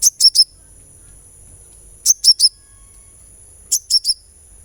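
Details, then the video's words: Sunbird sound used as therapy to make a kept bird sing; very high, sharp chirps in quick bursts of three, bursts about two seconds apart, over a quiet background with faint low hum. "suara terapi kolibri supaya gacor"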